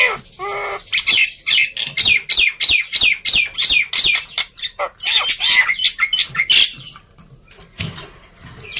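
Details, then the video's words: Loud black-winged myna song used to stir quiet birds: an opening harmonic nasal note, then a rapid regular series of harsh scratchy syllables, fading to quieter chatter at the end. "Kicauan Burung Jalak Putih Gacor Ribut || Pancingan Burung Jalak Malas Bunyi"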